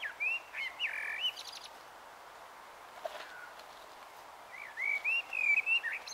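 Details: Dusk evensong of a common blackbird, Taunton, Somerset, on 21 March 2018 at 18:12: two rich warbled phrases of looping whistles, each closing with high squeaky flourishes, separated by about three seconds of near silence.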